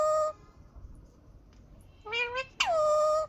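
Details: Green ringneck parakeet making harsh, strongly harmonic squawks: a short call, a pause with low room noise, then a wavering double note and a long, sharply dropping drawn-out screech.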